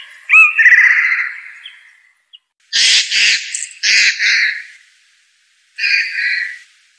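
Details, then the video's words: Blue jay (Cyanocitta cristata) giving a long raspy squawk, then three short harsh blasts in quick succession and a last nasal call after a pause. "Blue Jay.Bird Song.(Cyanocitta cristata)."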